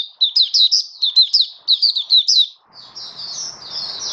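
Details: Hobby oriental white-eye (mata puteh) in 'buka sing raja' song, 21 October 2022: two quick bursts of high, sharp chirps followed by a softer, thinner trailing twitter over light hiss.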